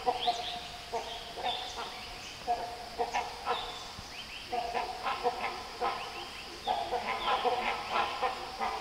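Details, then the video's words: Several Great Hornbills in the Nelliyampathy hills of the Western Ghats, Kerala, India, give loud, harsh, honking barks in overlapping bursts, roughly one or two a second, with a faint high hiss behind. "Great Hornbill call sounds"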